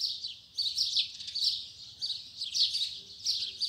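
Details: A double-collared seedeater sings its 'tui tui zel zel' song in the morning. Repeated high buzzy twittered phrases come in bursts about every second, over a steady low background hum.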